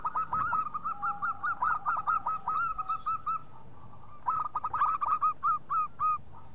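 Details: Zebra dove of a local strain calling to prompt other doves to sing: two bursts of fast, bubbling mid-pitched coos, the first longer, separated by a short quiet gap, with faint background hiss.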